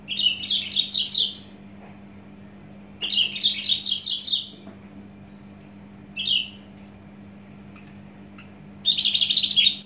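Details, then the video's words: Caged Javan bush lark from Java delivering dense bursts of rapid buzzy trills, each lasting about a second, separated by pauses, with a short note in between and a constant low hum behind. "branjangan javanica asli jawa volume dan spedd edan mantap"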